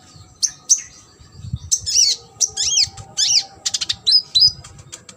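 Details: Sunbird song meant to train competition birds: a lively run of high, piercing chirps, arched whistles and quick buzzy trills, delivered in dense bursts with short gaps, over a faint steady hum.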